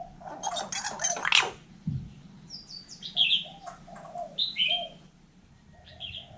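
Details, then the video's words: Vietnamese hill myna copying human speech: a cluster of harsh, syllable-like bursts comes first, then a string of short piping whistles and sharp high chirps, with quiet pauses and low background noise. "Chim nhồng nói tiếng người"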